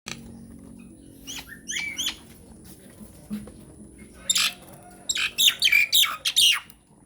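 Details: Nias hill myna, a lure song meant to make silent mynas answer: scattered harsh squawks and clicks, then a burst of loud, rasping, descending whistled notes near the end over a faint hum.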